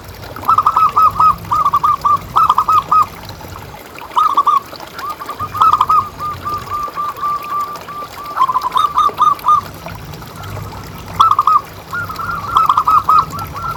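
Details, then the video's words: Loud local zebra dove, used as a lure call, repeating bursts of quick staccato coos in phrases of three to six notes, separated by short pauses, with background hum. "Suara Paling Ampuh Untuk Pancingan Burung Perkutut Agar Bunyi Terus"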